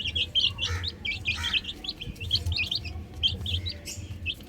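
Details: Young chickens playing on a roof chirp in quick, high, overlapping peeps, bursts of several notes at a time over low background rumble.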